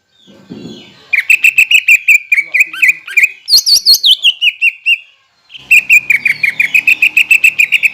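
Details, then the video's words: Greater green leafbird lure song for raw and group-kept birds: loud, rapid, evenly spaced chirps, a brief upward-sliding warbled phrase, a short gap, then the chirp train resumes. "PANCINGAN CUCAK IJO AGAR BUNYI BUAT CUCAK IJO BAHAN DAN OMBYOKAN LANGSUNG NYAUT"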